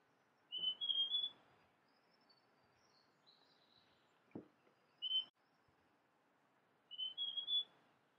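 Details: Clear whistled phrases from a large niltava, each a brisk rising string of three or four pure notes, one cut short to a single note, spaced a few seconds apart; thin high twitters and a brief click sound in between.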